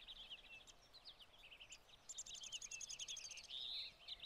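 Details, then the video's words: Spring 2020 feeder flock of American goldfinches in summer plumage, joined by a few pine siskins eating sunflower hearts; high thin chirps and twitters overlap, a rapid stuttering trill midway, then a drawn buzzy note near the end. "Mostly American Goldfinch with some Pine Siskins Feeding on Sunflower Hearts"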